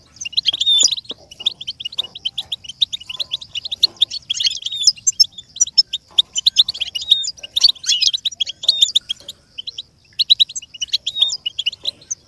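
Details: Continuous goldfinch twittering for goldfinches to learn and copy sounds: long, unbroken stream of quick high tinkling notes and chatter over twelve seconds, with occasional louder flourishes and faint low hum.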